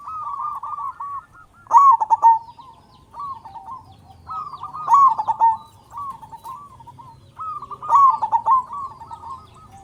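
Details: Loud, prolific local zebra dove, used as a lure to make other zebra doves call and raise their arousal, giving a rapid, trilled cooing phrase three times at roughly three-second intervals; faint low rumble behind.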